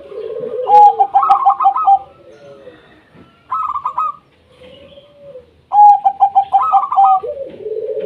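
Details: Local zebra doves singing, meant to make other doves sing: overlapping runs of quick staccato notes and series of clear clipped notes, repeated several times, with lower rolling coos in between.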